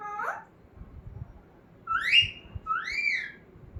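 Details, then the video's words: Talking pet parrot indoors: a short wavering harmonic note, then two clear whistles, each rising and then arching down, over faint room noise. "Talking parrot"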